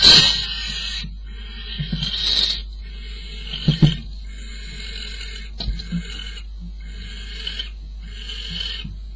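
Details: Barn owl at a nest box at 04:45 on 22 May, as the male brings prey to the female: harsh, breathy hissing screeches in bursts of one to two seconds, about five in a row, over a steady low electrical hum.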